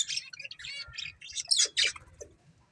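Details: Breeding pair of budgerigars chattering: dense, fast, high-pitched warbled chirps and squeaky trills in quick bursts, with a louder harsh burst near the middle before fading to soft twitters.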